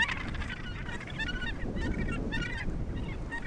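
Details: Australasian gannets at the Point Danger gannet colony near Portland, Victoria, Australia: harsh, grating, honking calls in quick overlapping bursts from several birds, over a steady low rumble of wind and surf.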